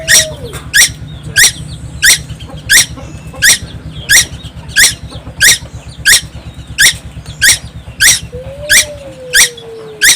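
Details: Constantly singing young tuwu bird, Timor Island: evenly spaced harsh, buzzy chips, roughly fourteen in ten seconds, over a continuous low mechanical hum, with a faint gliding whistle at the start and end.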